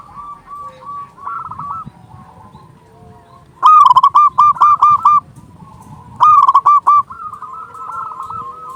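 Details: Zebra dove of local stock with a powerful voice, for luring doves and raising their mating drive: two strong phrases of rapid, evenly spaced staccato coos, backed by softer cooing from other doves.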